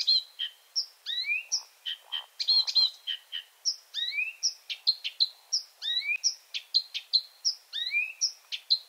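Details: Marsh Warbler singing at night, a varied mimic: a continuous stream of high chips, buzzy clicks and upslurred whistles, some phrases repeated several times, fast and unbroken for the whole stretch.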